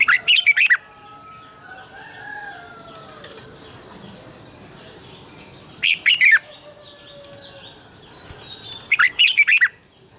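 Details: Red-whiskered bulbul morning song for training birds: three brief phrases of rapid warbled notes spaced several seconds apart, with other faint bird whistles in between.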